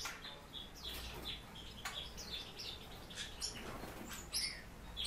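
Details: Kept warbling white-eye giving soft, high whistled notes repeated in a loose series, with scratchy rustling and a low steady hum beneath.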